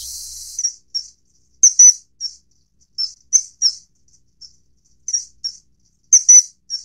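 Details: Common kingfisher (Alcedo atthis) calling in a clean series of piercing, high-pitched whistled notes, single or paired, coming in clusters about every second with short silent gaps between them.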